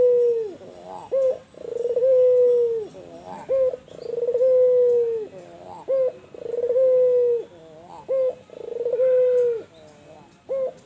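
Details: White albino spotted dove in full voice: deep, steady coos, each long note held then dropping, linked by brief clipped notes, repeated in a regular cycle about every two and a half seconds with little background noise.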